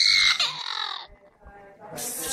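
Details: Free-living parrot imitating a crying baby, living near a house with small children; a loud, wavering wail slides downward for about a second, followed by a harsh high squawk.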